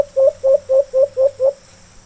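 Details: Free-flying white-eared brown dove (alimokon) answering a captive bird: six evenly spaced low, rounded hoots, roughly one every quarter second, clear against faint background hiss.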